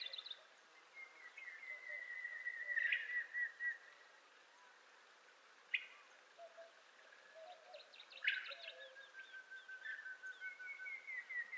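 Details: Montezuma quail, western North America, giving long, slightly quavering whistles that slide gently downward, one around the first few seconds and another later, with a last whistle rising near the end; scattered short chirps from other birds sound in between.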